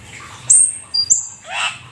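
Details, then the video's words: Black-winged starling, a rare exotic bird, giving part of its lively mimicking song: a sharp very high whistle, a short lower pure note, another high whistle, then a soft rasping note. "Jalak Keling gacor full isian"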